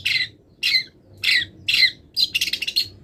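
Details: Long-tailed shrike, not yet finished molting and already eager to sing, in a song full of wild-bird imitations: five harsh, raspy bursts about half a second apart, the last breaking into a quick stuttering chatter.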